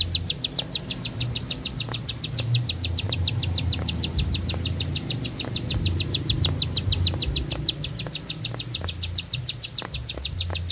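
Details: Sustained song of a bar-winged prinia: nearly eleven seconds of fast, high, identical notes in a steady rhythm, with faint clicks and low background droning.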